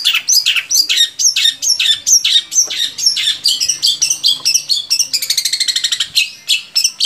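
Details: Long-tailed shrike song to prompt captive shrikes into singing: varied loud downslurred whistles and harsh notes in quick succession, then a fast rattling trill near the end.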